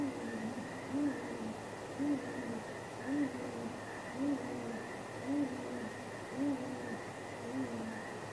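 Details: Great grey owls courting, with possible mating, near a nest at midnight on 23 April 2019. Soft, low hoots repeat evenly about once a second over a steady background hum.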